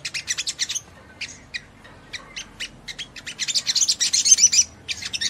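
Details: Little spiderhunter (sogon) in vigorous gacor song meant to rouse other sogon; sharp high chirps repeated quickly, a brief lull, then a rising run of faster, denser notes toward the end.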